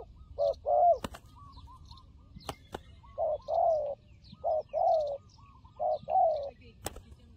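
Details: Fighting turtle dove used in trapping, giving low hollow cooing phrases, each a short pair of rising-falling notes, repeated in bursts about every second, with sharp clicks and taps between phrases.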